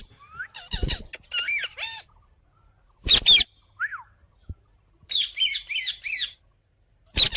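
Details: Parrot, possibly an Indian ringneck, mixing whistled rising and falling notes with quick buzzy chirp series and loud harsh squawk bursts separated by short pauses.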